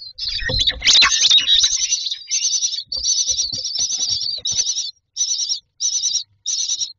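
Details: Myna chicks in a nest box begging for food: harsh wavering high-pitched calls repeated in bursts of about half a second, with rustling and knocking inside the box at the start.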